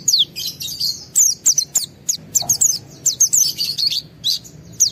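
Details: Highly emotional white-eye song to get other white-eyes singing; dense, continuous high chirps and quick whistled slurs delivered in rapid irregular succession.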